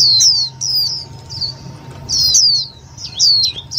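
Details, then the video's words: Indian white-eye lure call for trapping and exciting other white-eyes: groups of two or three bright, thin sliding notes separated by brief pauses, with a low hum underneath. "Tiếng chim vành khuyên mồi cực nhạy"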